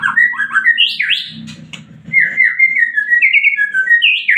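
A white-rumped shama sings a rich, varied run of fluted whistles and slurred notes, rising and falling between phrases, with a faint low hum beneath.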